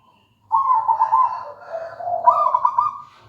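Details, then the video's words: A local wild-type zebra dove in full song gives one long purring coo sequence of rapid trilled notes, dipping lower in the middle and rising again into a brighter rolled ending, with a quiet low rumble beneath. "Suara merdu perkutut lokal alam gacor"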